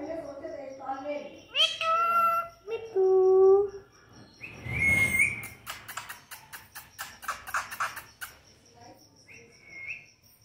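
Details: Talking pet parrot conversing with its owner in a small room: harsh, warbling voice-like calls and a few high squeaks, followed by rapid clicking sounds and a faint whistle.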